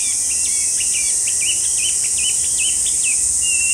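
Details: Chinese hwamei giving rapid, clear whistled notes with quick rising and falling slurs, about a dozen in under four seconds, backed by a steady shrill buzzing drone.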